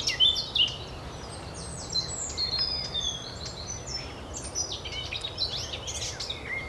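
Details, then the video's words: Eurasian blackcap song recorded by the Oostplas lake in Goirle, Netherlands, 24 April 2012: rapid chattering phrases of sharp, high notes with clearer whistled slides, dense and unbroken, against steady low noise. "De zang van de Zwartkop (Sylvia atricapilla)"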